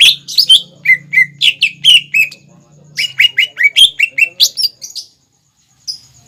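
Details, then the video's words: Greater green leafbird singing to train young birds: two rapid bursts of swooping chirped whistles, about four notes per second, then near silence with one last faint note. "PANCINGAN CUCAK IJO GACOR INI SANGAT CEPAT DI TIRU CUCAK IJO MUDA ATAU CUCAK IJO BAHAN"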